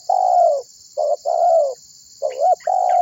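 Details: Lure recording of a spotted dove calling to draw other birds into song: long, even, slightly falling husky coos broken by a short clipped note, then a rising-falling double note, over constant high-pitched hiss.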